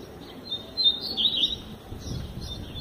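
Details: Double-collared seedeater singing softly, a run of thin high whistled and slurred notes in the middle, fainter phrases after, with low background noise throughout.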